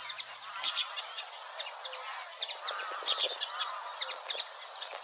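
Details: A Eurasian Reed Warbler in marsh near the Weerribben at Wetering West, Overijssel, 6–7 May 2022, churns out a steady chattering song of scratchy, clicking notes in loose pairs, with a touch of mimicry; nothing else is heard.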